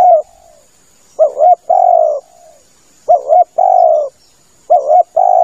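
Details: Spotted dove calling, a recording meant to lure birds: repeated phrases of a brief two-part wavering coo then a longer smooth falling coo, about every two seconds, loud and clean.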